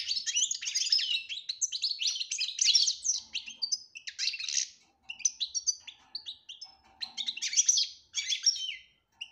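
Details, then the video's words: European goldfinch performing betbeta and tasfiya song to tutor a silent bird: bursts of rapid, jangling twitters separated by short gaps, with a faint low murmur in the background. "بتبتة روعة انتى ولمال نتاعها بتبتة وتصفية الكلام حسونك حايخرج من صامتو"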